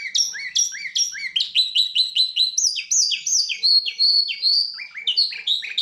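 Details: Goldfinch x canary hybrid singing a fast, clear run of repeated notes, rising and falling slurs grouped in short trills, about two or three notes a second, bright and high, with a quiet background.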